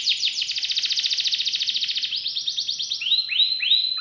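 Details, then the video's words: Canary delivering a fast rolling trill of rapid notes for two seconds, shifting to quicker chips and then rising looped whistles. "KENARI GACOR CENGKOK ISTIMEWA,ISIAN MEWAH"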